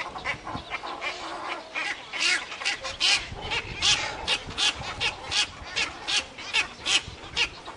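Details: Cattle egrets calling at a breeding colony at Inkamana near Vryheid, 12 November 2007: dense chorus of harsh, rasping croaks repeated over a steady din of many birds.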